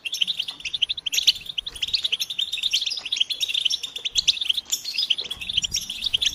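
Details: European goldfinches in a group chattering recording, known as batbata, played to stimulate males to sing; dense, overlapping high twitters and trills pour out almost continuously, with brief sharp notes and soft low background noise.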